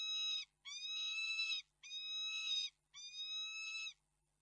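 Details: Loud series of four wailing cries from a peregrine falcon at Reda, Poland, dated 11 March 2022, each rich, nasal note lasting about a second, followed by silence.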